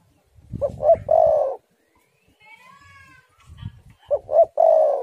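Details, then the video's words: Spotted dove, on a recording intended to prompt doves to sing, gives two cooing phrases, each two short coos then a long purring note. A thin, higher whistled sound comes between them, with low rumbling beneath. "tekukur super gacor suara angin ribut"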